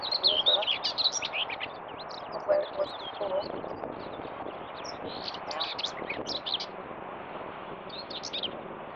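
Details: Common whitethroat singing at Morte Hoe, Devon, UK: short, scratchy bursts of high chirping notes, busiest in the first second, then scattered quick twittering fragments over a steady, faint background hiss.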